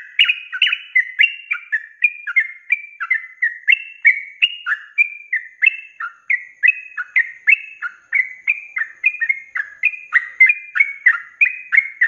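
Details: Sooty-headed bulbul cage bird delivering a continuous 'ropelan' training song: an unbroken stream of rich, bubbling whistled notes, about three per second, each bending down in pitch, clean with no background noise.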